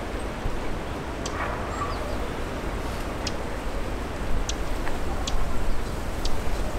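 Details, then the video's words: Dusky warbler, a rare passage migrant met in the Kanto region of Japan, thought to have strayed there; its chak-chak call. About five dry, sharp ticks come at irregular gaps over seven seconds above a steady low rumble. "まれな旅鳥「ムジセッカ」地鳴き入り動画 / Dusky Warbler"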